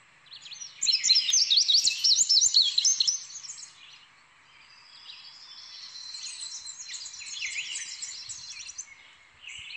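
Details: Indigo bunting song: a loud burst of rapid, high, jumbled twittering notes lasting about two seconds, followed by a fainter, softer stretch of thin warbling and sweeping notes.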